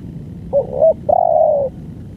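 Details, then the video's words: Spotted dove in long-duration song: a muffled, wavering two-part coo is followed by a long, steady coo that eases downward at the close. Low hum in the background. "BANGGO full||Durasi panjang"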